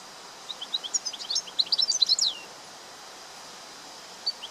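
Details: European goldfinch in the wild singing a fast run of high, tinkling twittered notes for about two seconds, rising in loudness, with a faint background hiss.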